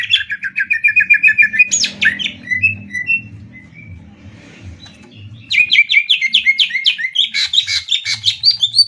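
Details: Caged greater green leafbird singing in a contest, Banyuwangi versus Kalimantan: rapid repeated whistled notes, a brief quieter gap, then a fresh run of fast, loud chopped whistles and trills.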